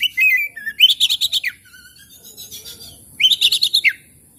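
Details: Oriental magpie-robin used as a lure to get silent, stressed birds singing: a falling whistle, then two quick runs of loud, repeated high chirping notes ending in a downward sweep, with softer warbling between them.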